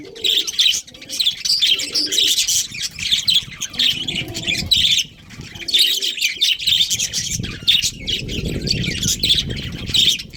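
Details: Budgerigar breeding colony: continuous busy twittering of many high chirps and warbles in long bursts, a short lull near the middle, with low rustling and thumping from movement underneath.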